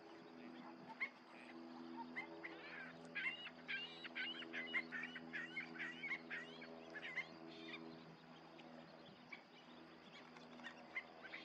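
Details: Western sandpipers in a swirling murmuration flock flying over American Canyon Wetlands; many short, sharp chips and twittering notes overlap in quick bursts, busiest through the middle seconds, over a steady low droning hum.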